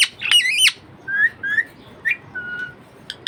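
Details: Pet budgerigar opening with a loud harsh wavering squawk, followed by several soft short whistled chirps, a flat thin whistle, and faint clicks.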